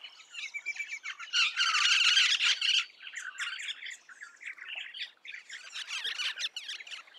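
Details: Eastern rosella making harsh, squawky chatter: dense, scratchy bursts that swell loudest in the middle, broken by shorter rasping phrases and brief pauses.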